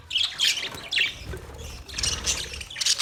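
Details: Colony of budgerigars kept together in an aviary setup, chattering with bursts of high, scratchy squawks and chirps in overlapping clusters, loudest at the start, the middle and the end.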